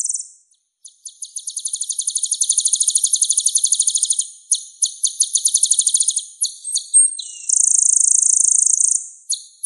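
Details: Energetic 'gacor' sunbird from a masteran track for songbird training. A long, very high rapid trill swells and breaks off several times, then ends in a sustained high buzzy tone. No other sounds.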